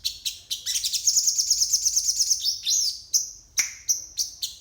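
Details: Isian-style morning song of a crested jay: a few sharp chips lead into a long fast trill of high notes, then a looping whistle, a steep downward note and separate clipped chirps.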